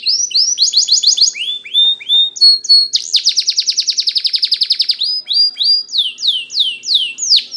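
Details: Spanish Timbrado canary singing a training song: rising swept notes repeated in quick groups, then a long, rapid, even rolling trill lasting about two seconds, ending in a series of louder downward slurs.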